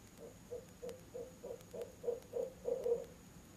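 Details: Out-of-season nest box visit by barred owls, October 18, 7 pm, mate chiming in: about ten evenly spaced low hoots that build in loudness and run together at the close.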